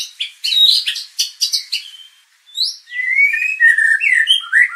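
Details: White-rumped shama lure song for training contest birds: a burst of scratchy chattering notes, a short pause, then a flowing sequence of sweet, slurred, descending whistles.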